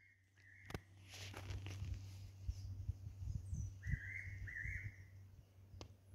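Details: A fairy pitta calls mournfully from a pine tree at about 147 m elevation on Nojasan, at a proposed golf course site, giving clear mid-pitched double whistles about three seconds apart over a low hum and scattered clicks.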